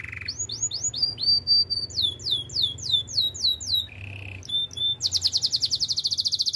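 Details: Canary song for training: a low buzzy roll opens, then series of downward-sweeping whistled notes, a short low buzz, and a fast high rattling trill at the end.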